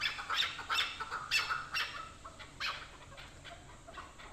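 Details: A hunting chukar partridge gives rough, clucking chuk notes, quick and uneven at first, then spacing out and fading toward the end, with faint background noise.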